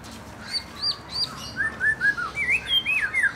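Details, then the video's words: Young white-rumped shama, forest-caught and fledgling birds, being provoked to sing: clear slurred whistles, three high down-slurred notes followed by a faster run of lower rising-and-falling whistled phrases, about three per second, over quiet background. "Mancing emosi murai batu bahan muda hutan dan trotolan cepet ngeplong"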